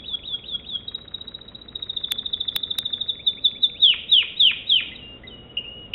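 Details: American Singer canary singing: a rapid chattering trill, a few sharp clicks, then several loud downward-swooping whistles and a short closing phrase.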